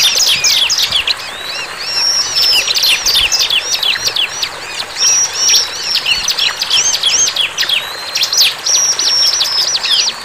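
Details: Bar-winged prinia singing vigorously: a dense, fast stream of high, sharp chirps and clipped whistled notes, some rising and falling quickly, with a few steady drawn-out whistles, continuous across the whole stretch over a faint background hiss.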